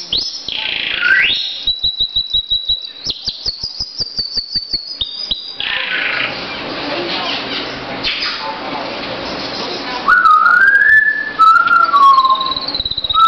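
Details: Pet canary singing indoors: rapid clicking rolls and buzzy trills, a hissing broad passage, then clear rising and falling whistled notes near the end.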